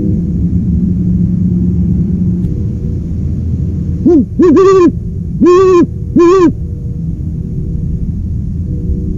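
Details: Low rumbling background, then an owl gives a short quick pair of hoots followed by two longer, louder hoots spaced about a second apart.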